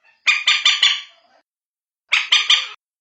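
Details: A common moorhen calling, as used to draw the birds in at night: a run of four coarse, rattling clucks with a trailing tail, then a second faster group of three after a pause.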